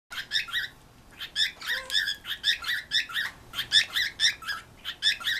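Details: Pet birds calling back and forth as if talking to the dog, a rapid series of short chirpy notes in bursts, roughly every second, with brief pauses between phrases.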